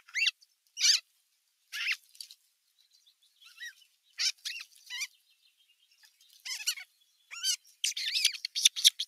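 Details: Larger osprey chicks quarrelling at nest #1, 15 June 2023, an adult watching from the rim; separate sharp, high squeals at first, a quieter lull, then a rapid closing cluster of shrill chirps.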